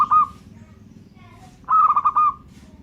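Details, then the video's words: Local zebra dove song, the tail of one cooing phrase followed by a full phrase of quick, bubbling pulsed notes at a steady mid pitch, with faint low hum behind. "suara perkutut lokal gacor jos gadosss"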